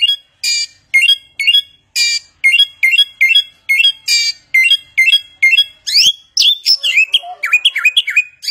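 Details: Samyong, the Chinese hwamei, singing its many-voiced mimicry: about a dozen crisp, evenly spaced chirps, then a sudden shift into tumbling, overlapping whistled swoops and twitters.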